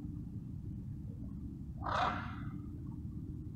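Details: Wild blue-and-yellow macaws gathered as a group, resting and bonding; one short, hoarse squawk rising briefly out of a steady low rumble of wind or ambient noise, quieter and more distant.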